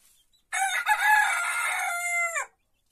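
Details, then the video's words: A single crow from a small rooster in the henhouse, roughly two seconds long. It starts rough and choppy, settles into a sustained ringing tone, and drops off in a short falling slide. The background is quiet. "Gallo pequeño cantando"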